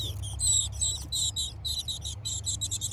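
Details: Chickadee babies chirping away inside a garden birdhouse in Hardiness Zone 6a, one fledgling poking its head out: loud, almost continuous chorus of high, rapidly pulsed chirps in short stuttering trains, with brief gaps.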